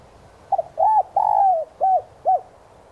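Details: Spotted dove decoy calling to attract wild doves, 'son' voice: a brisk double note, a rounded coo, a long gliding falling coo and two short arched notes in a steady low phrase.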